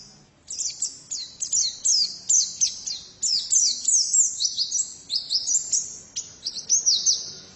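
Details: Continuous high, bright twittering from a female white-eye, crisp repeated notes and downward flicks strung into long, lively phrases with hardly a gap.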